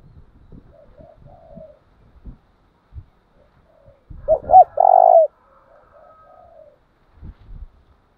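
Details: Decoy spotted dove kept for training doves, giving soft distant coos, then one loud phrase of two quick rising notes and a drawn-out even coo, framed by low knocking handling noises.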